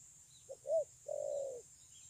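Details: Spotted dove praised for good cooing, 9 June 2020: one clear phrase of a short soft note, a rounded arching coo and a long even hum, over steady hiss.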